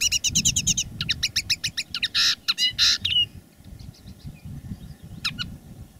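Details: Decoy common linnet singing live: a fast rhythmic series of bright twittering notes, then two harsh buzzy bursts, then near silence with a final short note, over low background rumble.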